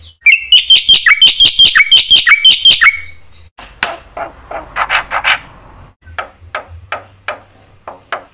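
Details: Gacor black-winged myna with full isian, used to rile other mynas: about three seconds of quick shrill chirps, followed by scattered harsh scratchy notes and clicks.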